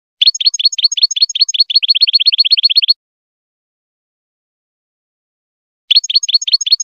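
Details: European goldfinch song played to train young goldfinches: a long, fast run of evenly spaced high chirps, nearly three per second, stopping for three seconds before the rapid chirping starts again; nothing else is heard.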